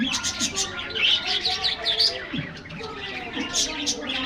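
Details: Several caged budgerigars receiving a morning treat in an aviary give quick, sharp chirps and squeaky warbled notes in rapid succession, the flock's chatter rising and falling over a faint low hum.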